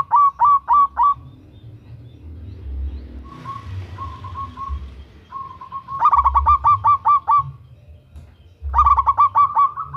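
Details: Local zebra dove, loud and vigorous, female calling male, used as a lure to set birds singing; loud bursts of five or six rolling coos open and close, with quieter level coo runs between and low background rumble.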